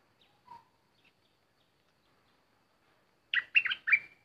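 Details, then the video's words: Decoy bulbul, with an uninvited intruder present: a few soft scattered call notes, then a loud, rich phrase of three rolling whistled notes ending in a level, fading tail. "Burung merbah lekir bay hoach thom gacor bahanan"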